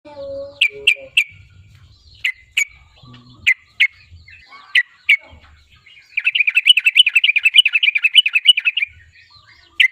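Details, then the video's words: Sooty-headed bulbul song used as a lure to provoke a rival bird into singing: sharp high chips in short runs, then a fast, even, bubbling trill for about three seconds, ending with one more chip. "SUARA BURUNG TRUCUKAN GACOR MENEKAN LAWAN UNTUK BUNYI PANCINGAN TRUCUKAN AGAR BUNYI"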